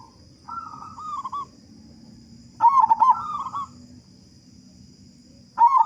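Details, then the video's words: Zebra dove of local stock with a big voice, singing to prompt other doves: a quiet drawn-out coo, then a loud burst of quick bubbling coos, another soft phrase, and a final loud burst, over faint background hum. "Perkutut Lokal Gacor Suara Besar Pancingan Burung Perkutut Agar Cepat Bunyi"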